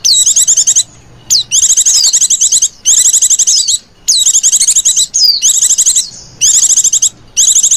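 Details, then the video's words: Wild white-eye call used as a lure, a loud high chirping: dense bursts of rapid sharp notes about a second long, broken by short pauses and a few slurred falling whistles. "PLECI KALIAN LEPAS ATAU ADA PLECI LIAR 😝 PUTAR SUARA INI AJA 👍 DI JAMIN PLECI LIAR NYAMBER"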